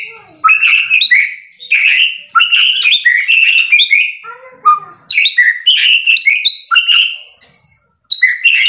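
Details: White-rumped shama pouring out a rich, varied song of quick chipping and whistled phrases. Clusters of notes last about a second each, with a softer, lower warbled passage in the middle.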